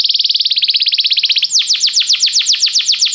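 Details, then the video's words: Belgian canary song for warming up a canary: a very rapid even trill of short notes gives way to a slower series of loud, steeply falling whistled sweeps. "canário belga muito lindo cantando, aqueça seu canário imediatamente"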